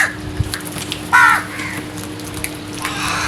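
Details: One clear, hoarse crow caw in the early morning, with a faint distant call afterward and a constant low hum in the background.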